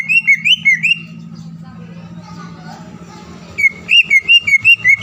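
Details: Green leafbird lure song meant to make rival birds sing immediately: quick bursts of bright, slurred whistles open and close the passage, separated by a couple of seconds of muffled background noise and low hum.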